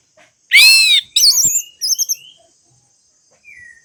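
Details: Orange-headed thrush song for encouraging silent birds to sing: one loud, broad slurred note, then warbling high whistles and a short trill, followed by near silence with a faint closing whistle.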